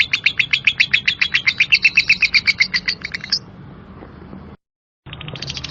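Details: Lovebird in 'ngekek kasar' style: a burst of quick, rasping chirps for about three seconds ending in a sharp higher note, then near silence, a brief dropout, and faint chatter resuming.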